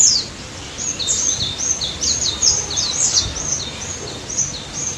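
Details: White-eye singing energetically, a lure recording meant to prompt silent white-eyes into song: dense, very high twittering of quick slurred notes running almost without pause over faint steady background hiss.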